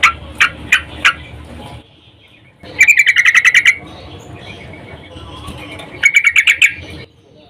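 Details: Female sooty-headed bulbul in breeding condition calling to a male, used as a lure to make males sing; three spaced chirps, then two rapid trills of about eight to ten clipped notes with pauses between.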